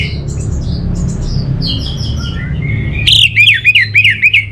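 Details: Soft descending twittered phrases from an orange-headed thrush, then a loud burst of rapid looping whistled notes repeated several times a second, over low mechanical hum.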